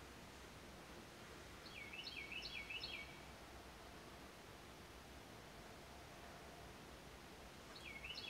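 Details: A Carolina wren singing on a tree branch with buds gives a quick run of three loud, rolling phrases, then starts the same phrase again after a pause, over a steady hiss of wind.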